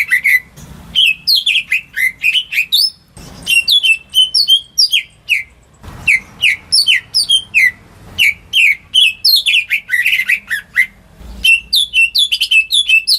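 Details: Greater green leafbird kept at home, singing to coax non-singing birds: loud, varied chirping whistles in quick sequences, with sharp upslurred and downslurred notes grouped into several phrases separated by short gaps.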